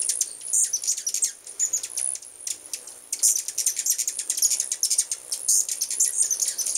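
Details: Hummingbirds in large numbers, present in full force at a residence in 2010, produce lively overlapping high squeals and quick tick notes in bursts, briefly pausing near the middle.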